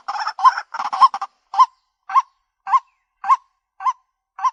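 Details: White-breasted waterhen lure recording: a harsh, rapid burst of grating croaks, then evenly spaced, hooked, nasal 'kwak' notes repeated about twice a second, each short and clipped, over a quiet background.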